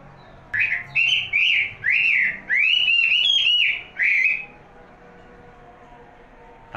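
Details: Caged songbird singing a series of clear, loud whistled phrases, each a slurred rising-and-falling note, about eight in quick succession, then a pause with faint room noise.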